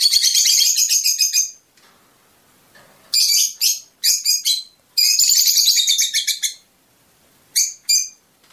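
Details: Twittering of a Fischer's lovebird, a song meant to stimulate mating: long shrill chattering bursts with rapid pulsed notes, broken by silent gaps, and a few short sharp chirps near the end.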